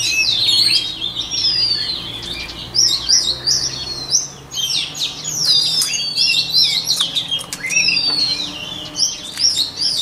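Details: Song of a white-rumped shama for voice training of songbirds: dense, energetic phrases of rapid whistles, chips and slurred notes throughout, over a faint low hum.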